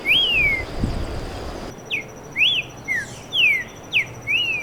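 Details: Streaked saltator singing. One rising-then-falling whistle is followed by a brief noisy gap, then six more sharp, slurred whistles arrive about every half second, mixing upward and downward sweeps.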